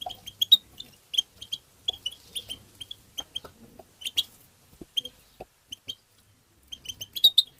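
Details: European goldfinch performing a tbitba-style song played to stimulate goldfinches: rapid high chips and twittered phrases repeated in clusters, mixed with soft tapping and clicking sounds.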